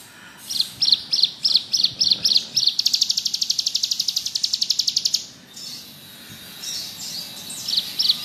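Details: Bar-winged prinia singing ngebrem: a run of evenly spaced, high chirps about three per second speeds into a fast, buzzy trill lasting over two seconds. Quieter, softer notes follow, with light background hiss.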